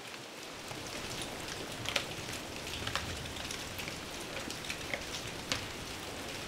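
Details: Steady rain pattering on a surface in Šumava National Park, with scattered louder drops and no animal calls.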